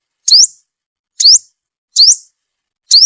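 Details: Sunbird calling as a trapping lure, four thin, piercing upslurred notes, each sharply rising, separated by pauses of nearly a second, with no other sounds.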